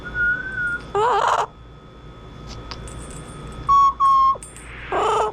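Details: Pet Double Yellow-headed Amazon, a rescued bird once caged for 36 years, gives level whistled notes, two held whistles in quick succession and harsh harmonic squawks, with quiet room noise between.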